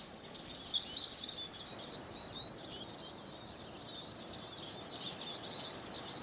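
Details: Siskin song, a lively unbroken chatter of sharp high chirps, squeaky notes and short wheezy trills in rapid succession, fairly even in loudness throughout.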